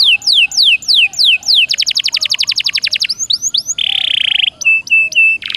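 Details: Canary song for encouraging a caged bird to sing: looping sweeps, a fast rattling trill, a buzzy roll, then clipped repeated whistled notes.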